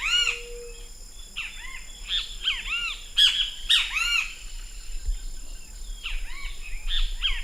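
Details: Great kiskadee of Brazilian territory calling: clusters of strident, arched, buzzy notes in quick runs, several bursts spaced about a second apart, plus a brief low steady hum near the start.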